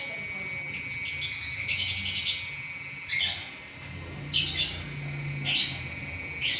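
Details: Lovebird singing nonstop, opening with a warbling run of high twittering notes, then separate sharp shrill bursts about a second apart, with a low hum underneath.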